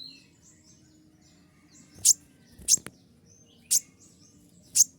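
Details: Sharp 'tembakan' shots of a kolibri ninja sunbird in a training recording: four loud, piercing high chips spaced about a second apart among faint thin twitters, over a low constant hum.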